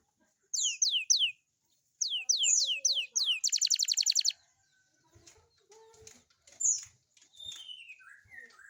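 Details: Morning song of a young canary, played to coax young canaries into singing. Two groups of three downward-swooping whistles lead into a fast buzzy trill, followed by softer scattered chirps.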